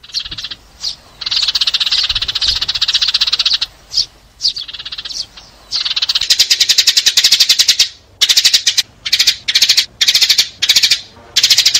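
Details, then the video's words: Sparrow chatter for calling the flock when trapping: steady buzzy chirping at first, then sharper stuttering bursts of rapid clicks and chirps with choppy gaps. "TIẾNG CHIM SẺ GOI ĐÀN DÙNG ĐỂ BẪY"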